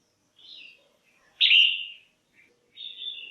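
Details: Calling female red-whiskered bulbul, used to stimulate males or pair birds, with a soft warble, then a loud bright whistled note sliding downward, followed by a steady whistled tail.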